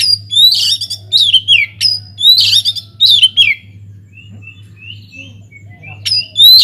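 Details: Oriental magpie-robin singing vigorously in an aviary, meant as a lure to make other birds sing: loud bursts of sharp whistles and harsh notes, a pause of quiet soft whistles, then another loud phrase.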